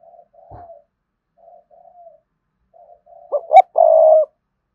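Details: Spotted dove cooing to draw rival males into a fight: a string of soft, low, slightly falling coos, then a loud burst of two short notes and a long rolling coo.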